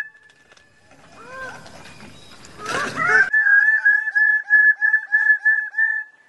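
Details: Bird-of-paradise in the wild gives a few soft downslurred notes, then after a brief crackling burst launches into a steady run of loud, nasal, honk-like notes repeated roughly twice per second.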